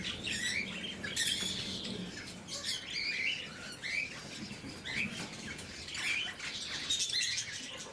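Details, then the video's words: Blue-mutation lovebirds during morning feeding, a flock of caged birds giving sharp, high chirps and squeaky twitters in overlapping bursts, with soft pattering and rustling underneath. "Попуги неразлучники, утреннее кормление"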